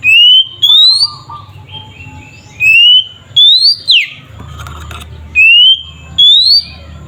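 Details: White-rumped shama singing loudly to goad other shamas into song, clear rising whistles repeated in pairs about every two to three seconds, one sharp descending slur, soft lower warbles between, faint background hum.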